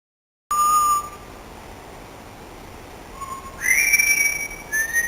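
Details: Pet parrot whistling the melody of "Singing in the Rain": a clear steady whistled note, a pause, then a louder rising whistle and a short higher note, with faint background hiss.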